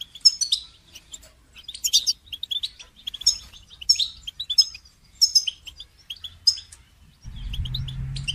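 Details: Goldfinch song used for songbird training: bursts of high, bright twittering and chirps in short phrases roughly every three-quarters of a second, with a low rumbling noise entering near the end.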